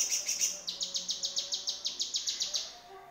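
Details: Harsh tutor recording of a yellow-vented bulbul, meant for training cage songbirds such as magpie-robins: a few high chips, then a steady run of about fifteen hard, metallic, high notes that stops abruptly.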